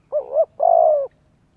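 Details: Spotted dove for luring wild doves and training young birds, giving one low phrase: a dipping double note followed by a longer, slightly falling coo.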